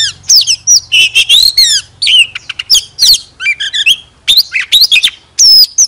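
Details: A tail-fanning Oriental magpie-robin, kept as a decoy, delivers lively, varied song of sharp slurred whistles, quick trills and chirps in short clustered phrases over a faint low hum.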